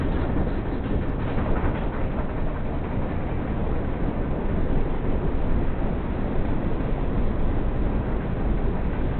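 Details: Loud, steady broadband rumble like wind or engine noise, with nothing above a muffled upper cutoff and no animal calls.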